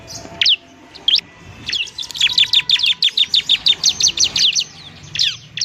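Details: Bar-winged prinia singing semi-fluently as tutor material to get other birds singing fast: a few isolated high chirps, then a quick regular run of about a dozen sharp descending notes, followed by scattered chirps.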